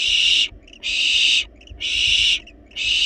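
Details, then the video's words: Young wild barn owls in a nest box begging for food even when well fed; long rasping hissy screeches of about half a second, coming about once a second with short gaps. "Barn Owls Baby Playfully Demand Food Despite Being Well-Fed!"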